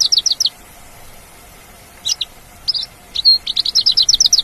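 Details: Mongolian lark singing in natural surroundings: a fast series of high chirps, a pause, then varied whistles and a lively run of rapid repeated notes.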